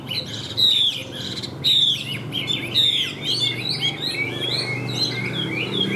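A Hwamei sings loud, rich whistled slurs, each about a second apart, then breaks into rapid, varied, warbling phrases. A low hum runs underneath.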